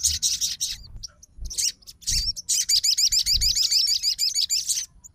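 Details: Crimson sunbird fighter reacting immediately to another sunbird singing: a few high sharp notes, then a sustained, very fast trill of repeated looping notes lasting nearly three seconds before stopping abruptly.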